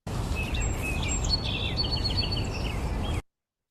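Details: Song Sparrow, one of two individual song sparrows whose songs are being compared, sings a quick jumble of bright chips, trills and high whistled notes over about three seconds, with a steady low background rumble.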